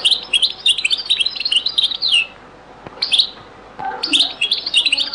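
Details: European goldfinch in a very old Beni Messous 'les avocats' zaboka-style recording: a sustained run of rapid, bright, jingling twitters for two seconds, a short pause, then more tinkling phrases resuming and continuing.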